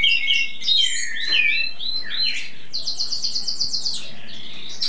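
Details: Tutor songbird singing without pause in spring, its song-showing phase: tumbling mixed whistles and chirps, then a fast high buzzy trill of even repeated notes lasting over a second.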